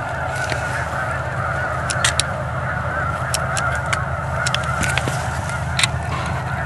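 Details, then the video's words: A huge flock of migrating snow geese near Edmonton, startled from a pond and flying laps before landing, keeps up an unbroken wall of overlapping nasal honks. A low steady hum runs underneath, with scattered sharp ticks. "Spooked Migrating Snow Geese"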